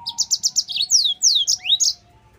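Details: Yellow-fronted canary singing as a training lure for other canaries: a run of six rapid high chirps, then long, sweeping, descending whistles and a rising slur, with a faint steady tone underneath.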